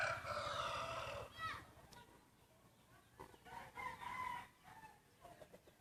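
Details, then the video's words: Rooster crowing contest between main breeding cocks: a strong, hoarse crow lasting about a second and a half opens, then a quieter second crow rises and falls from a competing bird amid faint clatter. "Tso qaib sib khav thiab mloog suab qaib qua ua si ประชันเสียงขันพ่อพันธุ์หลักครั้งแรกเสียงขันดีมากๆ"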